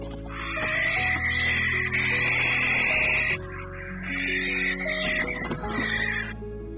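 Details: A female barn owl, who has called for weeks since her mate died and whose calls drew a new male to her nest, gives two long, harsh, hissing screeches of about three seconds each, over soft background music.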